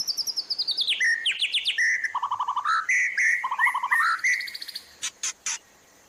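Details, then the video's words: Master song of a White-rumped shama for training, full of fill-ins: descending series of clear chirps, then varied warbled phrases and trills, closing with a few loud clicking snaps. "MASTERAN MURAI BATU TERBARU 2025 🔥 | FULL ISIAN & TEMBAKAN"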